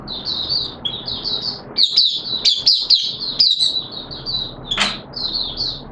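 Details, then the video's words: Caged oriental white-eye (mata puteh) kept as a hobby songbird, singing in wet weather: a continuous run of high, thin warbled notes with quick chirps, plus one sharp click near the end. "Mata Puteh T Rex Buka Sing"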